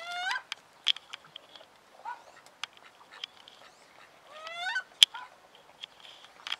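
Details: Captive female wood duck in winter, angry after being moved to another pond. She gives loud rising, squealing calls with harmonics, one near the start and a stronger pair near the end. Short sharp clicks and brief notes sound in between.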